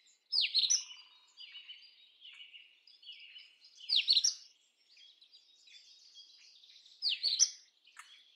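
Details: Indian robin of the Indian subcontinent's open scrub giving a loud high whistled phrase three times, roughly every three seconds, with softer twittering notes between phrases and faint background birds.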